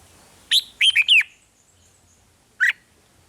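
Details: Brief snatch of red-whiskered bulbul 'rik' song, the kind played to excite caged birds: one quick phrase of a sharp note and three slurred whistles, then a single clipped chirp after a short gap.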